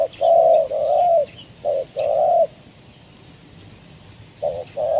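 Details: Spotted dove, a trained decoy bird cooing to lure wild doves down for trapping. Low, hollow coos in a short phrase of two long notes, then a brief note and a longer drawn coo, a pause, and the phrase starting again.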